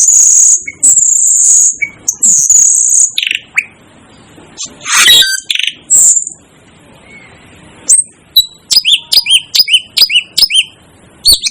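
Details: Asian glossy starling, called a 'devil' bird, giving shrill, high whistled notes, some long and sustained, others short, sharp and downslurred, coming in quick bursts with brief silent gaps between them.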